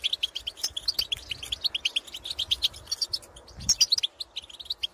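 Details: Field goldfinches calling to other goldfinches: a steady stream of sharp, bright chirps and fast twitters, rising into a louder tinkling flourish near the end.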